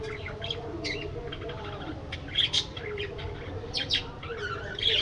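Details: Budgerigars in an aviary, chattering as a flock: dense, overlapping high chirps and short warbled notes, with a few louder sharp tweets near the middle and the end. A low, steady hum runs underneath.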